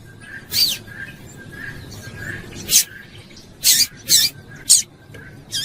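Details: Female double-collared seedeater calling insistently to stir a male into song: brief, scratchy, high chips, spaced at first, then coming quickly in a run of four or five near the end, with a faint hum behind.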